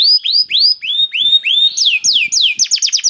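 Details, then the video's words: Singing canary, its song meant to spur other canaries to sing: a series of bright slurred notes rising and then falling, followed by quicker downward-swooping whistles that speed into a rapid chattering run near the end. "KENARI GACOR CENGKOK ISTIMEWA #213 || VOICE OF CANARY"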